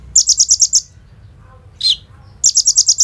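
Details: Kolibri ninja sunbird singing, recorded on a phone as a lure to get other sunbirds to sing. A quick series of six high, sharp notes, then one harsh, buzzy, falling chip, then the rapid high series starts again.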